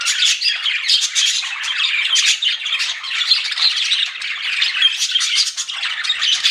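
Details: Pet budgerigars keep up a lively flirting chatter, quick scratchy chirps and thin whistled notes crowding together in a continuous high twitter.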